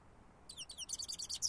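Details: Lure recording of a European goldfinch singing: after a silent half-second comes a rapid run of bright, liquid twittering notes, then a short buzzy rasp. There is soft background hiss.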